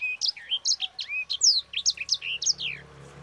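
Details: Actively singing sanger cage bird in continuous rolling song, used as a master song for training other birds: a fast, unbroken run of sharp upslurred and downslurred chirps and short whistles, about four notes per second.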